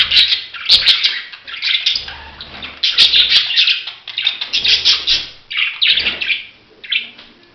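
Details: Budgerigars calling in loud bursts of shrill chirps and harsh squawky notes, rising and falling in waves roughly every second, with low thuds between.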